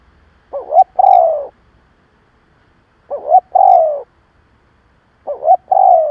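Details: Spotted dove used as a lure to provoke other doves, giving three coo phrases roughly every two and a half seconds, each a pair of short upturned notes followed by a long, sliding-down coo.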